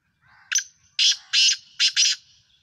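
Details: Black francolin partridge from Sindh, Pakistan: a soft lead-in, then a sharp note followed by four coarse, buzzing bursts in a jerky rhythm, the last two nearly joined; no other sounds intrude.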